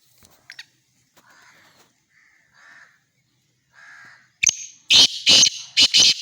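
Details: Black francolin calling at Khushab: soft, scattered buzzy notes lead into a loud, harsh series of five grating bursts in quick succession, heard clearly against a quiet background.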